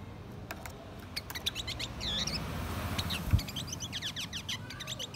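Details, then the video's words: A male and female blue-winged minla used as a lure to draw in wild birds sing a busy mix of thin, high chirps and quick twittering notes, calling back and forth over a low background rumble. "Chim khướu lùn cánh xanh hót mồi kích bổi trống mái"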